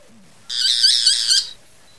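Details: Boat-billed flycatcher giving a single harsh, buzzy, rattling burst about one second long, high and nasal with a slightly pulsing texture, set in otherwise quiet surroundings.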